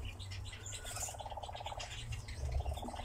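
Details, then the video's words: Fast rattling churr of a nightjar on a ravine, a rapid even pulse that pauses briefly and restarts, with a deep background hum and other bird chirps above. "Козодой на яру"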